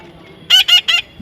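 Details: A baby parrot being tamed gives three short, harsh squawks in quick succession while a person repeats "Max" around it.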